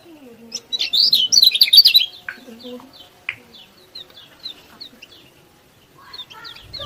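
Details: Lemon-bellied white-eye singing vigorously, used as a master song to make lazy birds sing; a loud burst of fast, high, jumbled twittering notes for two seconds, then scattered thin chirps and quieter low sounds.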